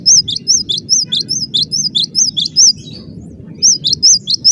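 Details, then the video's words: Cinereous tit singing a long, dense series of high two-note whistles at a steady quick pace, about twelve phrases, a brief pause, then more of the same, with a low constant hum behind. "Suara rapat +GACOR banget, gelatik batu gacor"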